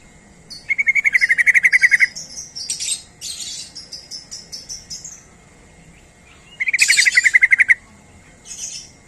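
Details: Yellow-vented bulbul lure call: two long bursts of fast, even chattering notes, about a dozen each, separated by scratchy rustling and fluttering noises.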